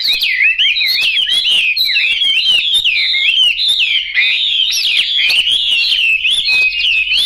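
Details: Continuous, loud song from a yellow-billed, yellow-legged Chinese hwamei: looping, wavering whistles and rapid trills run on without pause, rich and melodious throughout.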